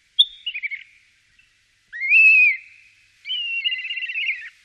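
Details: Common starling singing in Wittlich, Germany, in 2017: a short whistle with a trailing rattle, a loud rising-and-falling slurred whistle, then a long wavering trill-like warble.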